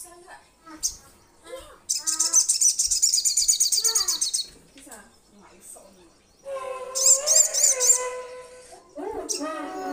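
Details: Crimson sunbird calling to companions: a long high, rapidly pulsed buzzy trill over two seconds, then a second trill mixed with lower warbled notes, amid other softer chirps and voices.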